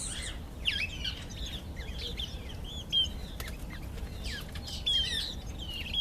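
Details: A Karoo thrush (Turdus smithi) sings short, varied phrases of clear whistles and warbles, some rising and some falling, over a steady low rumble, singing to impress females.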